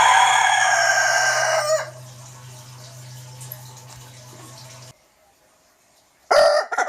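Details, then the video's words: Young rooster crowing: a loud, harsh, harmonic-rich call fades out after nearly two seconds over a steady low electrical hum, followed by quiet and a short, sharp burst near the end. "Rooster Crowing Compilation - Rooster Crowing - Young Rooster Sound Effect"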